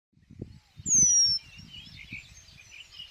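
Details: Eurasian penduline tit in spring in Żuławy Wiślane, among willows on riverside meadows: one loud, thin, drawn-out whistle sliding downward, about half a second long, over a soft chorus of other birds and low wind rumble.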